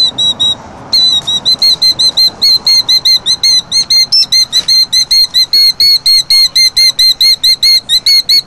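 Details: A killdeer defending its nest of eggs in rocks gives shrill, piercing alarm notes at an intruder, repeated rapidly and insistently at two to three per second, over a faint low background rumble.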